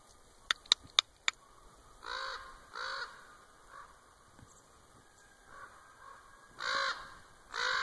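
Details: Common raven calling at Winlock, Washington, 3-10-2017, after a person's clicking: sharp human clicks open, then pairs of hoarse throaty croaks with softer, quieter croaks between, the last pair loud and close.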